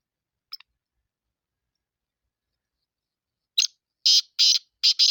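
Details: Black francolin of the Sindhi type: a faint brief note early on, then after a pause a rasping phrase of harsh, broadband notes repeated rapidly, cut off at the end.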